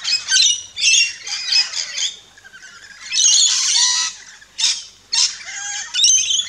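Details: Rainbow lorikeets at a backyard feeding station in Australia give choppy screeches in short bursts, one long rasping squawk near three seconds, then spaced sharp calls.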